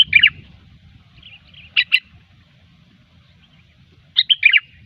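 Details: Sooty-headed bulbul in gecor song, played as a pikat lure: three bubbly phrases of quick, warbled whistles, the last a rolling run of four notes, with quiet gaps between and a soft background murmur.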